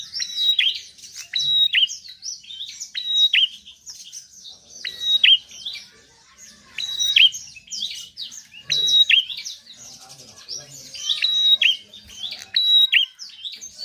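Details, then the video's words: Bar-winged prinia (prenjak) singing persistently for about fourteen seconds. Clusters of sharp, high, downward-flicking whistles are interleaved with busy twittering, with brief lulls between phrases. "Prenjak gacor penarik burung malas bunyi"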